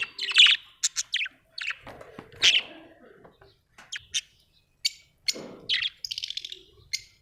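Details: Pet budgerigars indoors producing a mix of sharp clicks, short chirps and buzzy squawks in uneven runs, with a quick stuttering series near the end.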